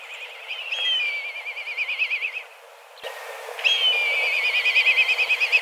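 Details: Black kites from a flock of dozens, flying about and calling intensely in search of food. Two high, loud whistled calls, each a brief upward note followed by a long, even, quavering trill, with a short quiet gap between them.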